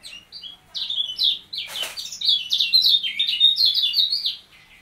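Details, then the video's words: Caged kecial kuning (white-eye) under training by being set beside another bird: sustained high, fast warbling of slurred, falling notes, broken once by a brief sharp noise burst. "Melatih Mental Kecial Kuning Dengan Cara Di Tempel"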